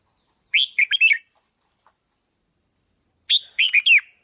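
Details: Red-whiskered bulbul singing to provoke decoy birds: two brisk phrases of four or five slurred, liquid whistles, spaced nearly three seconds apart, with little else heard.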